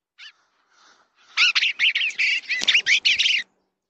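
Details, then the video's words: Eastern bluebird at the nest, heard from a nest camera: a brief series of short warbled, slurred notes rising and falling, delivered rapidly for about two seconds after a few fainter opening chirps. "Eastern Bluebird nest cam"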